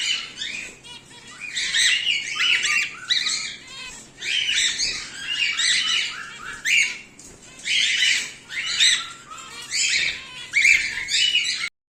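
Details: Home-bred cockatiels, a whiteface emerald and an exhibition grey male among them, squawk in regular loud bursts of rasping, overtone-rich notes for twelve seconds, ending abruptly.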